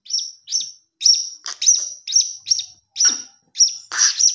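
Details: Hanging parrot nestling's calls, used as a lure: repeated high, sharp chirps with slightly buzzy edges, coming irregularly about two per second, a few notes louder and harsher toward the end.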